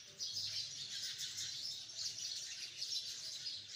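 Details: Hundreds of sparrows in a tree make a dense, unbroken chorus of high, overlapping chirps that swells and eases slightly throughout, with no other clear sounds.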